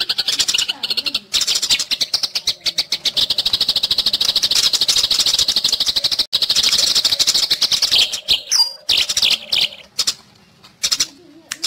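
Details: Fighting Eurasian tree sparrows, tutor audio for leafbirds and shamas: a long, dense run of rapid harsh chirps for about eight seconds, then broken, scattered chirps with short silent gaps near the end.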